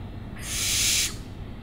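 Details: An owl utters a single loud, rasping hiss-like screech lasting roughly two-thirds of a second, broad and airy, rising quickly to full strength and cutting off abruptly, with low rumbling noise beneath.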